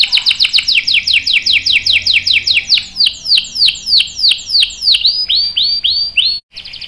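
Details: Canary singing a long rolling song: a steady series of clear, down-slurred whistled notes, about three per second, then shorter, quicker notes, ending in a brief sharp flourish.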